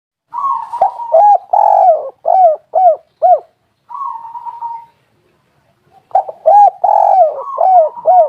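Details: Spotted dove, known locally as tekukur or derkuku, singing in a lure recording used to make other doves call. A mellow cooing phrase of a long hum and four short arched coos, then a sustained note, pause, and the phrase again.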